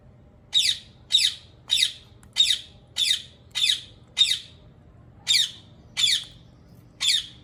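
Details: Rose-ringed parakeet repeating piercing, raspy screeches roughly every half second, seven in a row, a short break, then three more, spaced slightly wider apart.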